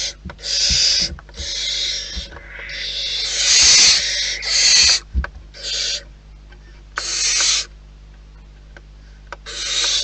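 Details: Wild barn owls at their nest giving about a dozen irregular rasping hisses over ten seconds, some short, some drawn out, with the loudest near the middle, plus thumps and scratching.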